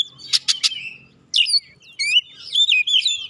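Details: Oriental magpie-robin worked up and unloading its fill-in repertoire to provoke others: three harsh, rasping notes in quick succession, a short silence, then rapid twisting whistles and chirps.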